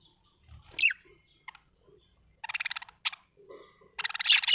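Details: A happy budgerigar chirping: a sharp downward chirp, then rapid pulsed chattering bursts with a brief high note, ending in a dense, loud stretch of harsh warbling chatter.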